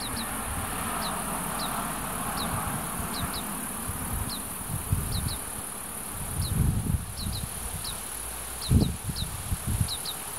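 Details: Recently fledged Oriental greenfinches beg their parents for food in Hiratsuka, Kanagawa, Japan. Paired high, falling notes repeat through the passage while low gusts of wind rumble strongly against the built-in microphone.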